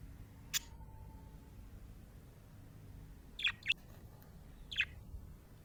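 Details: Happy budgerigar giving sparse sharp chirps: one clear note early, then a quick pair and a single note later, with long quiet gaps and faint low hum.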